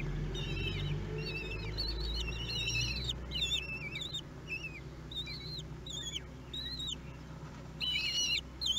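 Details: Week-old common kestrel nestlings begging during a feed, filmed by nest webcam in Théding, France, 31 May 2020: clusters of shrill, quavering high chirps repeated rapidly and unevenly, with a constant low rumbling background.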